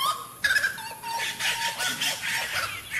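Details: Saracura singing: loud, harsh, cackling notes with a steady tone beneath, repeated in rough bursts across a noisy background.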